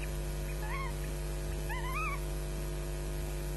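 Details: Osprey chicks in a nest at Loch Garten, Scotland, on 22 May 2012 at 09:56, scrapping and shrieking for food while an adult looks on; two wavering, rising-falling shrill calls over a steady electrical hum.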